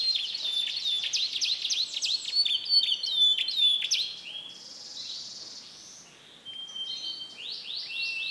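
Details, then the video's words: Canary recorded in Comal, Pemalang, Central Java, singing mixed imitated song: a fast run of down-slurred notes and whistles, then a softer hissing passage and rising high sweeps near the end. "KENARI ISIAN CAMPUR ADUK"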